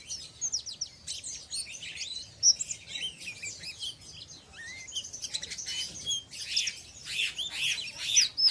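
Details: Oriental white-eye (pleci), untrained, in ngeriwik style: a long, rapid, high-pitched twittering of scratchy chirps and brief trills, growing denser and louder toward the end.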